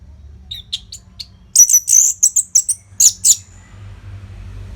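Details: Orange-headed thrush pouring out nonstop training song for contest birds: a few faint short chips, then a burst of very high, sharp, rapidly repeated whistled notes before falling quiet.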